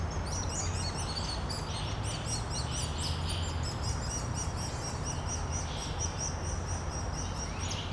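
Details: Woodpecker nestlings keep up a steady, high chattering of short, squeaky chirps as a parent feeds them, over a heavy low rumble of background noise.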